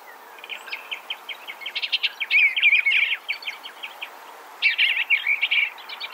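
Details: Eastern Bluebird song with steady rapid chips leading into two soft warbling phrases of slurred, wavering notes, and short pauses between bursts.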